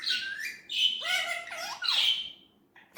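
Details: Indian ringneck parrot talking naturally, uttering a string of voice-like, tonal syllables with gliding, bending pitch contours mixed with raspy high tones, then tapering off into near silence.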